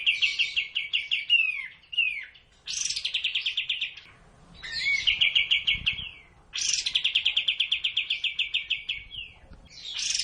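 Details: Sooty-headed bulbul song meant to get caged birds singing: repeated phrases, each a burst of fast trilled notes opening with a high buzz and ending in short descending slurs, separated by brief gaps.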